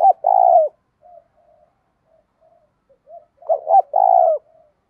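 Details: Decoy spotted dove cooing to provoke a fight: a long rich coo opens, then faint scattered soft notes and quiet gaps, and finally a full phrase of two short notes and a sustained coo.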